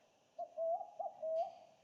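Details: Secretive Bar-shouldered Dove in banksia coastal heath at Mystery Bay, far south coast NSW, in wet afternoon conditions: a quick series of four mellow hooting coos, the longer notes swelling and lifting at the end, over a faint high hiss.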